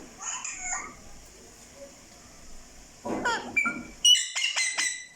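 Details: Talking parrot with mixed vocal sounds: soft warbled notes first, a steady high whine throughout, then a burst of raspy speech-like syllables and loud sharp whistled chirps near the end.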